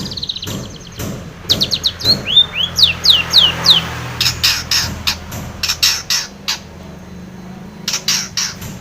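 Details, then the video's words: Long-tailed shrike in lively song, meant to goad a silent shrike into singing: clicking notes, a run of ringing descending whistles, then bursts of harsh chatter with brief pauses. "KICAU SUARA Cendet gacor pancingan cendet stres macet bunyi JADIKAN CENDET NYAUT"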